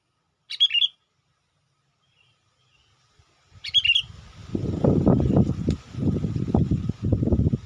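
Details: Sooty-headed bulbul lure call for drawing wild bulbuls: two short bubbly chirped phrases about three seconds apart, followed by loud low rumbling and knocking noise that fills the rest of the recording.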